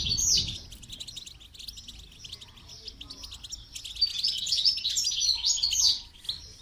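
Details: During song training a goldfinch delivers dense, rapid twittering: high tinkling notes and buzzy trills run almost without pause, loudest at the start and again in the last seconds.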